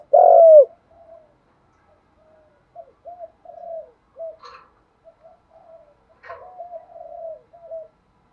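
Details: Spotted dove with a bronze-toned voice, cooing to train fresh captive birds: a loud drawn-out falling coo opens, followed by many soft, short, low coos and a faint higher rustle.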